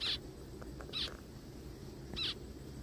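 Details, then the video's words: A zebra finch, described as found crying in a forest, gives three short, high nasal beeps, spaced about a second apart, over a steady low background rumble. "zebra finches sounds"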